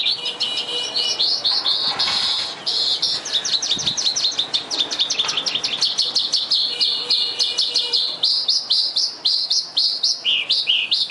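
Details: An Oriental skylark (Alauda gulgula) in Vietnam pours out a long, unbroken high song of rapid chirps, trills and buzzy slurred notes, with no other sounds competing.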